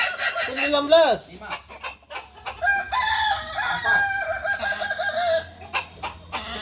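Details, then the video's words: Kukuak Balenggek rooster crowing at a Sunday practice gathering in Ampang Kualo: a short rising-then-falling opening note, then a long sustained crow broken into wavy, stepped segments, with clicks and crowd noise behind. "ayam kukuak balenggek"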